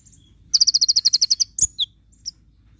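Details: Javan white-eye delivering a full tembakan burst for song tutoring: about a dozen high, rapid, identical staccato notes in a run, then a couple of quick downslurred chirps.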